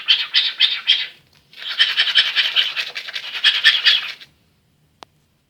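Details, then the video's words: Male cockatiel reproducing a toothbrush scrubbing sound: a short raspy burst, a pause, then a longer run of fast harsh strokes ending in silence and a single click. "Calopsitte imite le bruit d'une brosse à dents"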